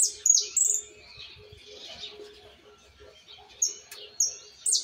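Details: A young Argentine white goldfinch with the base of its song in place but details to correct. It gives loud, very high buzzy trills at the start, then a soft chattering middle, then short shrill bursts about every half second.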